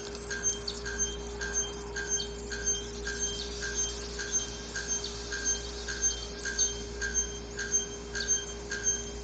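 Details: Bare-throated bellbird (araponga) in nature, male giving its ritual song to attract females for breeding, a powerful sound like hammering on an anvil: sharp metallic clanks repeated about twice a second throughout, over a steady low hum.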